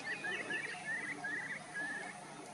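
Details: A Tibetan sand plover foraging on the shore at Koh Lanta, Thailand, gives short, dry trilled notes at a middling-high pitch, about five bursts in under three seconds, over a steady background hiss.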